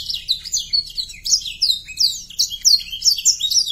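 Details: Canary song played to excite young canaries into singing: lively whistled notes sliding downward in short, rhythmic bursts, each phrase bright and clipped.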